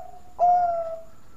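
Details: Bangkok-type zebra dove with a sweet voice, kept as a lure for other birds, giving one loud sustained coo that slowly slides down in pitch and fades, with a fainter higher tone above.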